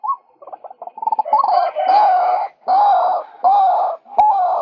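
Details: Male White-breasted waterhen calling, played to lure birds. Quick stuttering notes speed up into loud, long, drawn-out harsh calls, each lasting about a second with short gaps between.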